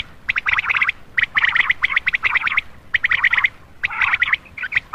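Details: Common quail lure call for males after dark: short groups of sharp, bright notes delivered in quick succession, recurring roughly once a second with small silent gaps.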